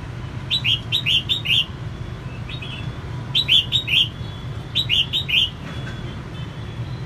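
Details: Red-whiskered bulbul hen singing eagerly to stimulate males: rapid runs of four bright, rising-falling whistled notes repeated about every two seconds, over a steady low drone.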